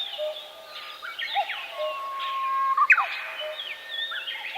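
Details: Birds singing in a forest: mixed high warbles and a long, level whistled tone, then a sharp, loud descending note near the three-second mark, with quieter lower calls around it.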